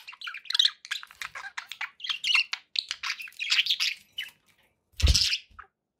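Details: Budgerigars kept indoors as pets, a lively run of rapid chirps and chattering notes for several seconds, then a pause and a single loud broadband knock or thump.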